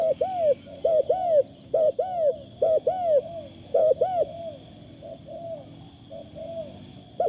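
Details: Spotted dove acting as a decoy: a long run of rhythmic arching coos, roughly one per second, fading to softer flat coos from further away, with a steady high insect drone behind.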